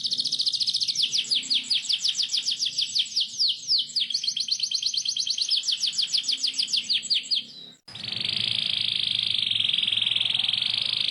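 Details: Canary rolling song used to teach young canaries: quick high downslurred notes for most of the passage, then an abrupt cut to a dense, continuous buzzy high trill.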